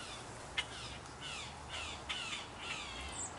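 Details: Blue jays eating almonds set out for them, giving harsh, raspy calls: several broad, noisy bursts spaced about half a second apart, with one sharp click near the start over a steady low background hum.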